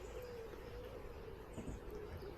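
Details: Pigeons, many of them in a tree above a caravan pitch at a small, busy campsite surrounded by houses, give soft, low cooing notes over a steady background hum.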